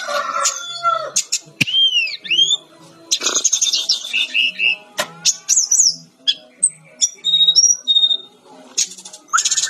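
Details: Brown-chested jungle flycatcher singing lively for a training recording: varied high phrases of whistled slurs, arched notes and rapid buzzy trills, separated by sharp clicks, with a faint low hum beneath.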